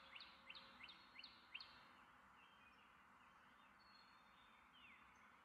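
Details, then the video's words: Carolina wren song of five clear rolling phrases in just over a second and a half. Faint, scattered chirps and steady background hiss follow. "Carolina Wren"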